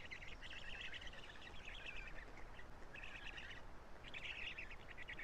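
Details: Nestling black storks at Karula, 3 June 2017, being fed by their father, voices changed: scratchy, raspy chatter in four uneven bursts with short silent gaps, steady hiss beneath.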